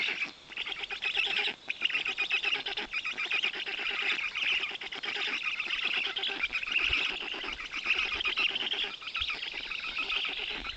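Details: Several black stork chicks in the Notecka Forest, Poland, 18 June 2021, being fed big fish by their father: a long, unbroken mass of harsh, buzzy rasps with an uneven rhythm.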